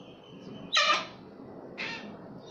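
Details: Wild cockatoo at a balcony in Sydney, Australia: two harsh, raspy, broadband screeches about a second apart, the first longer and louder, the second shorter, over a quiet low background hum.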